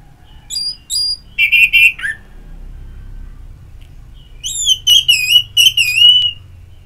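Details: Orange-headed thrush singing in ngeplong style, used to stimulate singing. Clear whistled phrases with high chattering notes, then a loud rolling series of slurred whistles, with quiet pauses between.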